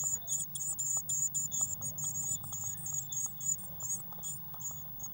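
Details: Eurasian blue tit at a nest box on 19 May 2019, waxworms in the feeder nearby. Loud, piercing, very high notes pour out in a rapid, slightly uneven series, about four a second, over a faint low hum.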